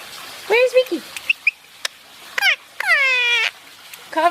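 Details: Basking pet Indian ringneck parakeet producing talking-style vocalizations: a falling harmonic phrase, short clicks, then a long sustained nasal note with rich overtones. A person speaks to the bird in the background.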